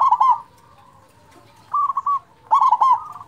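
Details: Local zebra dove with a big voice, kept as a lure to stir quiet or stressed zebra doves into singing; rapid stuttering coos open, then a short rolling phrase and another burst of quick coos near one kilohertz-range pitch.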